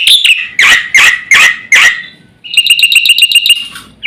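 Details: Black-winged starling in energetic song from a master recording used to rouse other birds: several loud, harsh, rasping squawks, then after a pause a quick, even row of shrill, piping high notes.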